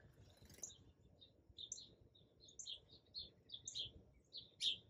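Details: Hummingbird at a feeder, filmed in the morning with an iPhone 11 on a tripod: sparse, high, thin chips scattered over about five seconds, some in quick pairs, with a sharper louder chip at the end.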